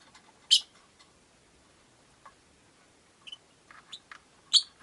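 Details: A sharp, high chirp opens, then near silence, then a burst of short squeaky notes and a final loud chirp from a group of five rosy-faced lovebirds in a window-side cage.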